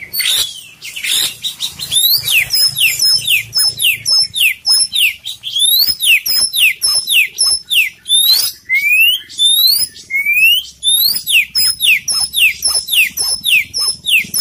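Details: Kacer poci, an Oriental magpie-robin, singing gacor with full isian: a long, dense, fast stream of sharp downslurred and upslurred whistled notes, several per second, sustained without break over fourteen seconds.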